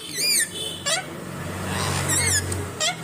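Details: Indian ringneck parrot talking: short, squeaky, speech-like phrases with bending, whistled tones, separated by brief pauses, over a low hum of background noise.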